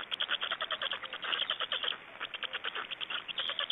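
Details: Estonian black storks feeding at the nest, 26 May 2012: a fast, steady series of harsh, clipped pulses, about eight a second, forming a continuous rattling chatter.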